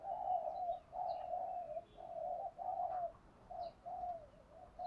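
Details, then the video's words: Spotted dove coos in the morning, meant to rouse trained male doves. Continuous run of mellow, evenly spaced hooting notes over a steady background hiss, with faint high chirps of other birds. "chim cu gáy kích bổi thúc gáy gọi bổi buổi sáng"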